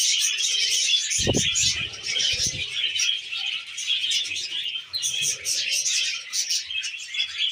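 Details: Pet budgies eating wheat germ give a constant high twittering chorus of squeaks and warbles; a cluster of low knocks and rustling falls between about one and two and a half seconds.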